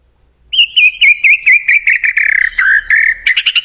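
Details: White-rumped shama song used as a lure to prompt a pet bird to sing along: loud whistled notes near one pitch, warbling and trilled, repeated in quick bursts ending in rapid chips.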